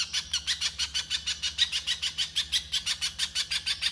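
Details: Harsh, rapid 'konslet' chatter from a little spiderhunter, recorded as rough masteran; grating notes roll at about six per second for four seconds against a low background hum.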